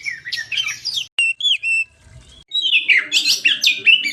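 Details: Oriental magpie-robin singing for a bird lure: jumbled warbled phrases, then a few separate clear whistled notes with short gaps, followed by another burst of rapid, squeaky, varied notes.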